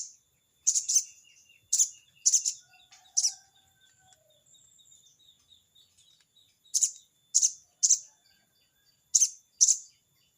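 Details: Crested jay (sogon) calling a rival: an opening flurry of harsh, scratchy crecet bursts, a pause filled with faint whistles and soft trills from other birds, then another rapid series of rasping notes.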